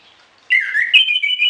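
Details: A loud, clear whistled warble from an orange-headed thrush singing actively with varied fill-in notes, suited to tutoring other birds in the morning and evening. The warble dips, then rises into a sustained bright whistle.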